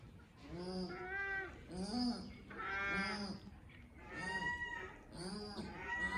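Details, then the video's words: Paradise shelducks give deep, nasal, goose-like honks, roughly one each second, with several birds' calls overlapping. "Perdise Ducks call"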